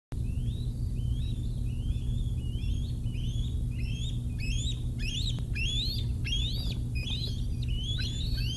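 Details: Bald eagles at the Decorah North nest at 6:45 am on 16 July 2021, as the adult male brings a fish and a 111-day-old eaglet takes it. Rapid rising chirps repeat continuously over a steady low hum.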